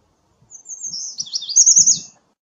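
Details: American redstart song: a high, sputtering string of fast notes building in strength for over a second and a half, with faint low rustling in the background.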